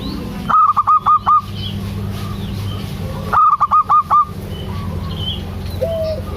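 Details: Lure recording of a local zebra dove in active song for stimulating quiet doves. Two separated bursts of about five to six fast, staccato notes each, with a faint low coo near the end and steady background hum.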